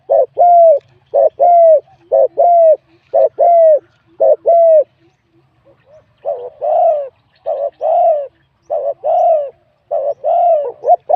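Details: Wild spotted dove singing in a competition, with a medium-to-large voice style. Crisp double coos repeat rhythmically for about five seconds. After a brief pause come softer, rougher coo phrases about once a second.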